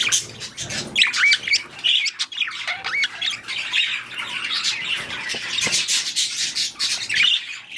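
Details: Budgerigars breeding, a continuous warbling chatter with clear rising and falling whistled notes early on, then a dense scratchy babble.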